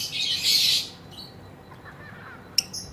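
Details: Female lovebird producing a single harsh, high squawking burst under a second long, followed by quiet and one sharp isolated chip near the end.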